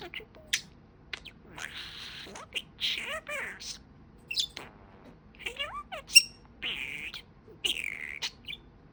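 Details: Pet budgerigar talking: soft chattering speech-like phrases with buzzy broadband bursts, scratchy warbles and a few sharp high chirps, spaced over several seconds in a quiet room.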